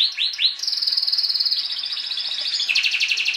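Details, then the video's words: Timbrado canaries, described as singing all the time: a few rising swept notes open into a long rapid rolling trill that steps down in pitch near the end. "CANARY SINGING"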